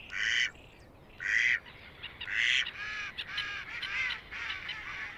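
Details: Canada goose, a rare vagrant, in spring in Belarus among mixed waterfowl: three loud, harsh, nasal honks about a second apart, then a run of softer, overlapping honking calls from the flock.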